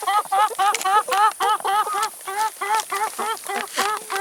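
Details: Chickens at a meal of salad and vegetables give rapid, bouncy clucking notes, close to four per second, each note a short harmonic chirp rising then falling.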